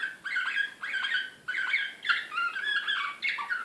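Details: Serbian slavujar canary from Belgrade, 2016, described as excited, pouring out dense rolling phrases of downslurred whistles in bursts of about half a second, over a faint hiss.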